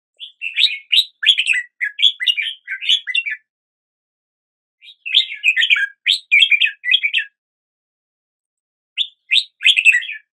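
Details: Red-whiskered bulbul singing in three bursts of rapid chirpy, warbling notes, each phrase about two seconds long, separated by silent pauses; clean recording with no background noise.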